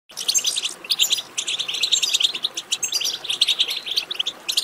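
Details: European goldfinch singing, played to stimulate a goldfinch to sing: dense, fast twittering of high, bright chirps and trills, delivered in continuous bursts with hardly a pause.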